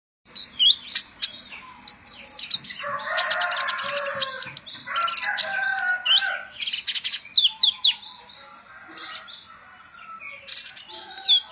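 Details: Olive-backed sunbird song used as a lure to provoke other birds: a busy, fast stream of high sharp chirps and trills, with denser lower warbled phrases in the middle and scattered twittering notes throughout.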